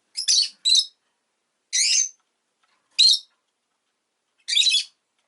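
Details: Harsh, high chirps from a pet rosy-faced lovebird, a quick pair followed by three rasping notes spaced roughly a second and a half apart.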